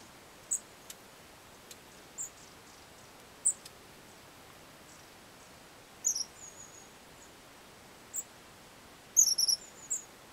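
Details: Winter long-tailed tits in Hornopožárský forest, Požáry, recorded 25 January 2009, giving high-pitched thin twittering notes, single and in small clusters, irregularly spaced and closer together toward the end.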